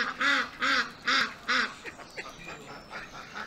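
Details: Ducks on a small pond at an urban farm give four loud, harsh, evenly spaced quacks about every half second, followed by fainter scattered quacks from other ducks in the background.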